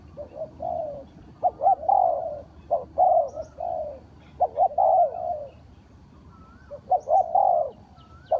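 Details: Spotted dove calling as a trapper's lure, a run of deep, rolling coo-croo phrases in uneven bursts with short pauses, and a few faint high chirps from other small birds.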